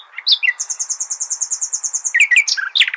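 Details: Nightingale singing Al-Hasaniya style, used as a tutor for goldfinch and hybrid chicks: a long, rapid trill of high repeated notes, followed by several sharp, loud chirps.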